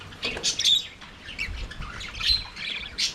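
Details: Aviary budgies singing and playing: harsh, squawky chirps and rasping twitters follow one another almost without pause, rising and falling in loudness over a few seconds.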